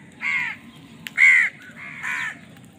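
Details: Three separate drawn-out, raspy caws from crows fighting for food, the middle one loudest and clearest, with a faint click between the first two.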